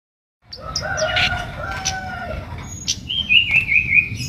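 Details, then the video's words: Red-whiskered bulbul singing energetically while seeking a rival. After a short silence come smooth whistled notes, a sharp high note, then a quick run of four bright trilled notes near the end over a low background hum. "burung baret merah gacor cari lawan"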